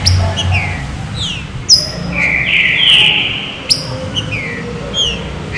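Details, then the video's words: Fine 'serrinha' song of a green-winged saltator, played to warm up other saltators; sparse sliding whistles and one sustained bright note in the middle, with a low hum underneath. "CANTO SERRINHA FINO PARA ESQUENTAR TRINCA FERRO"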